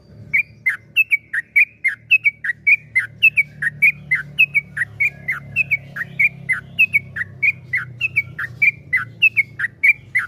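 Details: Yellow-vented bulbul song: a steady stream of short whistled two-part phrases, each a high note dropping to a lower one, repeated roughly three times per second. A low rumbling background runs throughout.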